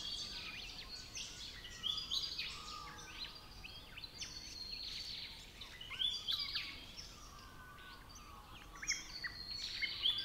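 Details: Regent Honeyeater in the Capertee Valley, New South Wales, Australia, giving soft, rapid chuckling and chattering notes in quick bursts, high and scratchy, over a steady hiss of background noise.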